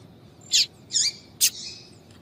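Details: Female yellow-bellied seedeater calling to excite males: three bright, high 'tui'-like notes about half a second apart. The second has a downward-curving tail and the last fades into a thin lingering whistle.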